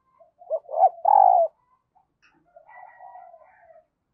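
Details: Decoy spotted dove giving its luring coo for new wild birds: quick rising notes leading into a short vibrating coo, then a softer drawn-out murmuring coo and a sudden loud note at the end.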